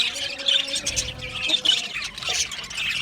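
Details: Budgies in an aviary colony, squawking chirps and short warbled notes rising and falling in loudness, with a low steady tone in the background.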